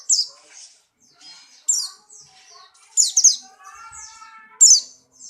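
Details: White-eye of the Buxtoni type in strong breeding condition, hopping energetically: loud, sharp, high descending chirpy bursts come about every one and a half seconds, with softer twittering notes between them and quiet human voices in the background.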